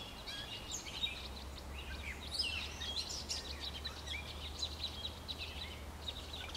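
Cowbirds give a busy stream of overlapping high chirps, squeaks and short whistles, as from a flock, over a steady low rumble of background noise.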